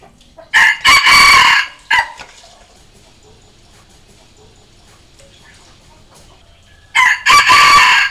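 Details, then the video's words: Red junglefowl decoy crowing to draw out wild junglefowl: a loud harsh crow, several seconds of near silence, then a second crow begins at the end. "เสียงต่อไก่ป่า เสียงไก่สำหลับต่อ"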